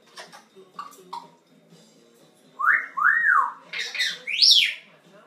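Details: A 21-year-old pet African grey parrot: a few soft clicks and short notes, then loud whistled calls that sweep up and down in pitch, several in a row, the last ones climbing highest and shrillest.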